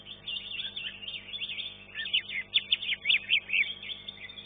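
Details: Green leafbird competing in first class at a bird singing contest, placed third: a fast, varied stream of sweet whistled and twittering notes, ending in a rapid run of bright chirps, over a steady electrical hum.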